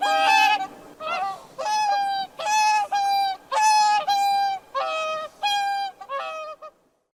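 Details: Waterbird trumpeting from a swan, a run of strong nasal honks with layered harmonics, each lasting about half a second, spaced by brief gaps and fading out at the end.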